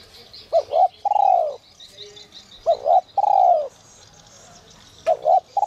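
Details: Spotted dove in the 'còi te te' whistle style, used to excite wild doves: repeated phrases of a short two-note lead-in and a prolonged descending coo, under steady high chirping from other birds.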